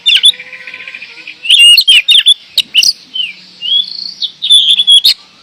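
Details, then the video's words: Oriental magpie-robin (kacer) from Indonesia singing in the lively 'gacor door' style: bright whistled notes with slurred rising and falling phrases, sharp clicks and short buzzy bursts, broken by brief pauses. "Kacer gacor door"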